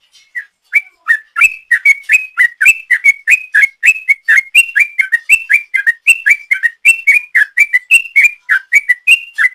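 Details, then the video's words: Sooty-headed bulbul in long 'ropel' song, played as a lure: after a soft start, a loud, continuous rush of whistled, slurred notes at a rapid even pace. "Trucuk Gacor ropel panjang,suara ropel trucuk ini paling di cari ropel mania"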